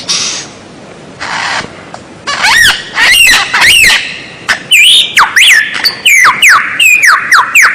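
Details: White-rumped shama phrases from a captive-bird tutor recording: faint noise, then loud repeated arching whistles, followed by a fast chain of sharp, down-slurred notes that rise and fall, about three per second.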